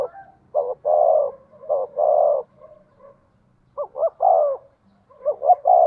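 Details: Decoy spotted dove, 'giọng thổ' style, quick to call: two cooing phrases of short stuttered notes followed by long, rich hoots, with quiet murmuring between phrases.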